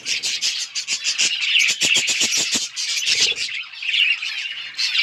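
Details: Several budgerigars chirping and playing with each other, busy overlapping high scratchy chirps and squawks in rapid bursts without pauses, warbling and clicking throughout; recorded 30 October 2023.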